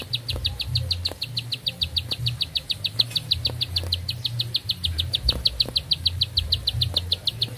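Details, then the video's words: ['Bar-winged prinia singing actively in one long-breathed, unbroken song: a steady series of high, clipped whistled notes, about six per second, with low rumbling background noise and occasional faint clicks.'] "Nafas Panjang, Nembak Satu Lagu, Ciblek Sawah Gacor"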